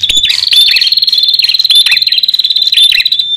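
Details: Bar-winged prinia, male and female, used as a lure for wild birds: a loud, continuous high buzzy trill held at one pitch, broken by sharp chirps and downslurred notes throughout.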